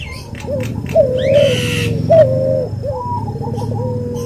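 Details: Cuhu dove, hybrid of white albino puter with puter pelung, gives drawn-out falling coos, each opening with a brief upward lilt, over a low hum and a brief rustling burst; a masteran recording.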